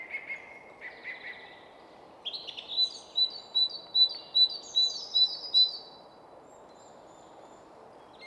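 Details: Song thrush in full song atop a spruce tree in woodland on the Stockholm outskirts, Sweden: a lower warbled opening, then one sharp high note repeated about eight times in quick, even succession, with faint city traffic hum beneath.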